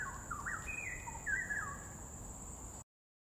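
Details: Bulbul at Dairy Farm Nature Park in Singapore: a few quick liquid whistled notes, rising then dipping, over a constant shrill insect hum, ending abruptly in silence after about three seconds.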